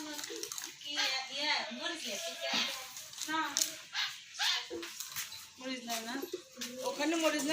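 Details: Talking common hill myna (Gracula religiosa) in a small room, mimicking speech: bright, human-like chatter running through strings of speech-like words and phrases with rising and falling pitch.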